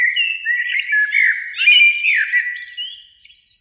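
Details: Evening spring song of a Eurasian blackbird in a beech tree by a lake, one of a pair singing; continuous melodious low whistles that break into a jumble of high, scratchy twittering.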